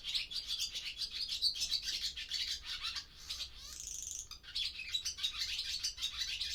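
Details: Daytime chatter of barn swallows back in an old barn for breeding after weeks feeding by sea and lakes: dense, continuous high twittering and chirping, with a brief buzzy, rising passage midway. Zoom F6 with Sennheiser MKH microphone.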